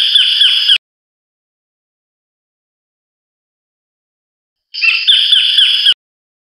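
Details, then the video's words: Collared kingfisher giving two bursts of loud, harsh, rapidly repeated notes, each burst about a second long, separated by a few seconds of silence. "白領翡翠/Collared Kingfisher"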